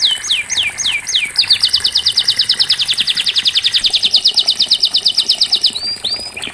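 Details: Canary singing, played to make non-singing canaries join in: five loud falling whistles, then a long rapid trill of evenly spaced notes, closing with two rising whistles.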